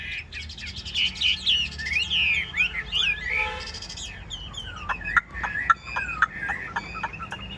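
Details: Caged Chinese hwamei with a yellow bill, recently acquired and not yet singing confidently. Fast sliding warbles, then a string of sharp repeated staccato notes.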